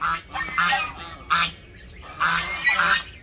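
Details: Backyard domestic geese honking in loud harsh bursts, a few calls spaced about a second apart with brief quiet gaps between them.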